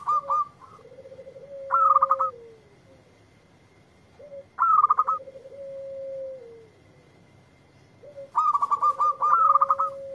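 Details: Answering a lure recording, a local zebra dove sings three phrases of quick, staccato cooing notes. A long, even, lower tone slides down at the end of each gap.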